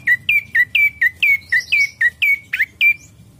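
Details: Lure recording of an ashy prinia singing: a fast, even series of about eleven bright, sharp chirps, each slurring down then holding steady, roughly three per second, over faint low background hum.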